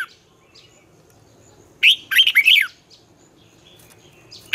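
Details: Morning song of a red-whiskered bulbul in the 'giọng xoắn' twisted style for coaching young birds: one short, bright phrase of four rolling whistled notes in an otherwise quiet stretch.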